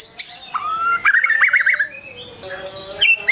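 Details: White-rumped shama provoking rivals with song: a clear rising whistle followed by a quick wavering warble, then high sweeping whistled notes after a short pause.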